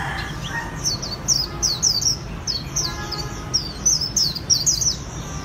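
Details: Japanese white-eye from Vietnamese bird keepers singing in khuyên líu style: continuous high, sweet, quickly falling whistled notes in pairs and short runs, over moderate background noise.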